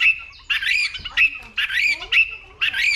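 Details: White-rumped shama, caged male excited by a female into fighting song: repeated short bursts of loud, rich warbled whistles with a harsh edge, about every half second, separated by brief quieter gaps.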